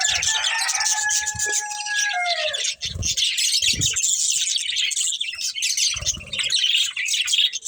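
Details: Breeding pair of budgerigars chattering while feeding: continuous high twittering, opening with drawn-out falling whistle-like tones over the first three seconds, plus several low muffled thumps.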